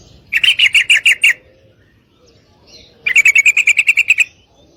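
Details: Female sooty-headed bulbul calling for a male to mate; two bursts of rapid bright chirps, the second longer at about twelve notes, with a gap between.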